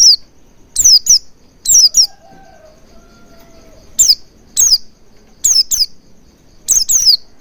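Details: Oriental white-eye calls used as a lure to make the bird sing continuously and open its beak wide: loud, sharp, high chirps sliding steeply downward, in pairs and singles, with a faint low hum in a quiet pause.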